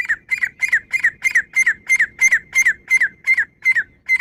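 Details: Female Grey francolin (Francolinus pondicerianus) call: harsh, squawking double notes, about three per second, in a steady, insistent series with no other sounds.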